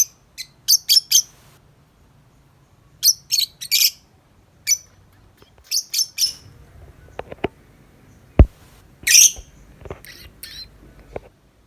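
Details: Tame lovebird chattering outside its cage, with clusters of two to four rasping chirps and scattered single squeaks; sharp clicks and knocks from handling or objects are heard in the second half.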